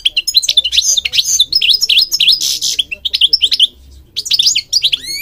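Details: European goldfinch singing a dense, continuous twitter of quick rising and falling whistled notes, broken by a harsh buzzy burst midway and a brief pause before the tinkling phrases resume.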